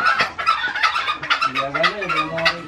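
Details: Green junglefowl belonging to an old man, described as fierce and vocal: short, sharp notes repeated about twice a second over nearly three seconds, with men talking underneath.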